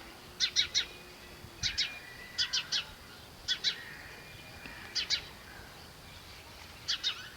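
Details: Himalayan bulbul with yellow vent, Kashmir: bright, sharp chirps in clusters of two or three, repeated at uneven intervals of about a second, over a quiet hissing background.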